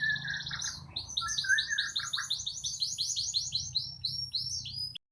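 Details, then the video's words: Borneo white-rumped shama kept as a cage bird, delivering a rapid series of repeated buzzy trilled notes over lower whistled phrases, loud and sustained, ending abruptly after five seconds; faint low hum behind. "burung kepunya'an ghina murai borneo"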